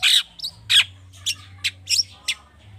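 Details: Long-tailed shrike, excited, used to draw other birds into song: two loud grating squawks, then a string of shorter scratchy notes fading over about three seconds.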